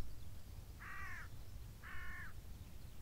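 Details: Two hoarse, flat caws a second apart from a crow perched atop a beech tree on the moor, set against a low rumble of wind.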